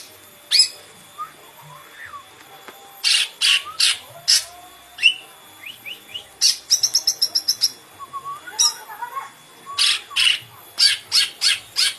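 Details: Green leafbird in varied song: whistled slurs, buzzy broad bursts, a fast rattling series of clipped notes, and rapid repeated chips near the end.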